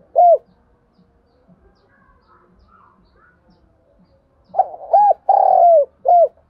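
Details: Spotted dove decoy singing to spur other doves to answer. After a single short coo and a quiet stretch, one full phrase follows: two brief coos, a long vibrating coo, then a short final note.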